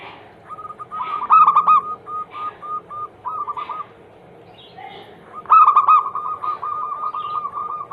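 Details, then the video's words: Zebra dove song meant to coax other doves into singing: overlapping loud coo bursts with many short tonal hoots running between them, suggesting several birds singing at once. "Masteran Pancingan harian burung perkutut Anggungan paling ampuh langsung bunyi hitungan detik"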